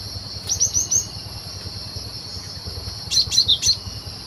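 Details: Cinereous tit singing in the wild in Indonesia, recorded for use as a lure in bird trapping: a run of four quick high whistled notes, then a pause and three or four sharper down-slurred notes, over a steady insect drone.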